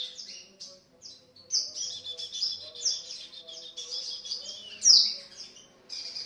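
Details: Softer white-eye 'pancingan' lure song in 'gacor' style: high, thin twittering phrases and short whistled slurs, rather quiet, with one sharper loud chirp near the end.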